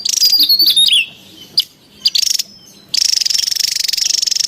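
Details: Javan tesia in the wild, lure and training sound: high whistles gliding downward mixed with short buzzy rattles, a pause with isolated notes, then a long even rattle to the end.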